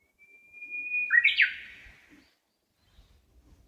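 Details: Bird song from a shady walking path in Nishi-no-kubo Park, Amakusa City, Kumamoto, Japan, in hot early summer: one sustained pure whistled note rises in loudness, then ends in a short, sharp, twisting phrase before quiet.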